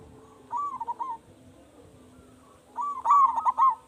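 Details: Zebra dove of local stock, kept as a loud lure bird: two bursts of soft, bubbling coos made of rapid stuttering notes, separated by a pause of about one and a half seconds.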